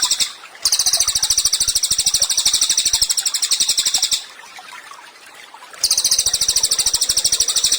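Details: Cililin tutor song for songbird training: two long bursts of very rapid, high-pitched, buzzy repeated notes separated by a pause of over a second, with faint regular clicks throughout.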